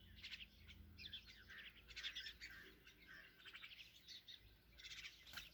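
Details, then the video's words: Myna chicks at feeding time produce steady, insistent volleys of rasping, high-pitched chirps, repeated in short clusters throughout, fairly quiet and close. "Myna Feedings Her Chicks"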